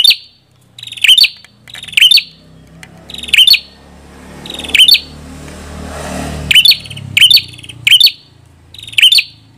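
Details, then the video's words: Red-headed prinia singing: short buzzy rattling phrases with a sharp high note, repeated roughly every second with a few pauses, over a low background rumble that swells midway. "Suara Burung Prenjak Kepala Merah"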